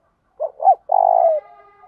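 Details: Spotted dove cooing in the 'thổ đồng' voice style, used to stir wild males to answer and fight: two short, soft hooting notes followed by one long, steady, drawn-out coo that slides down at the end. The background is quiet.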